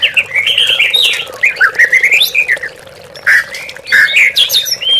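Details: Oriental magpie-robin song used as a lure to rouse captive birds, treated as a rival, to train them for singing contests: varied, slurred whistled phrases with rising and falling notes, over a steady low background hum.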